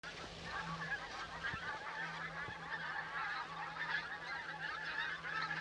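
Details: Large flock of pink-footed geese at Campfield Marsh, Bowness-on-Solway, a dense continuous chorus of overlapping nasal honks and yelps with a steady low hum underneath.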